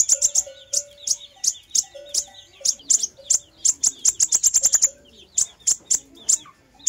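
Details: Fire-breasted sunbird lure recording with high, needle-thin notes spaced out at first, then racing into a dense trill before easing back to separate ticks.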